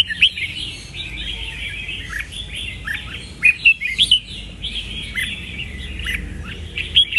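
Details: Red-whiskered bulbul, a caged bird, sings a chattering warble with scattered loud, sharp whistled accents, strongest around the middle and at the end of the passage.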